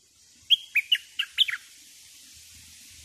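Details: A decoy bulbul sings a single quick phrase of five or six clear, slurred whistles dropping and rising, over steady background hiss.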